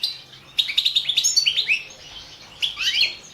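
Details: European goldfinch, balcanica subspecies, singing for a 2017 world championship; a long, rapid series of bright chirped notes, falling silent briefly before a final twittering burst.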